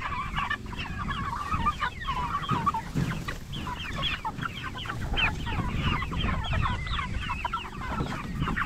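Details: A flock of 44-day-old jumbo Cornish Cross broilers kept for meat, chattering continuously with dense quick chirps, peeps and clucks over a low background rumble.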